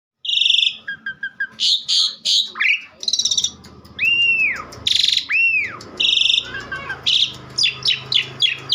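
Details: Asian pied starling in vigorous, nonstop song: loud buzzy bursts and rasping notes mixed with clear down-slurred whistled arcs and quick chattering series, in a dense, varied stream with barely a pause.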